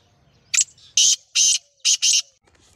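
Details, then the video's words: Black francolin calling: five harsh, rasping bursts, a short first note, two longer grating notes, then a quick closing pair, over a faint low hum. "Kala Teetar ki Awaaz"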